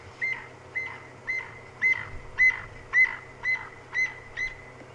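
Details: Crested francolins, described as in a near-constant state of panic and always noisy, give loud, harsh notes about twice a second in a steady run at sunset on a safari drive, 24 June 2015, over a constant high thin whine.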